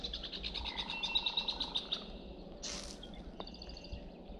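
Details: A Marsh Wren at Presqu'ile Provincial Park, Ontario, on a cold, wet early afternoon, gives a quick, dry rattling trill of high notes for about two seconds. A loud squeak not from the wren and another high trill follow over a low hum.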